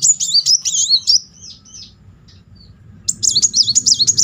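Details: Lure song of a Brown-throated Sunbird in continuous rolling style: a rapid, high-pitched undulating trill fading out after about a second, a quiet gap, then a fresh sharp burst.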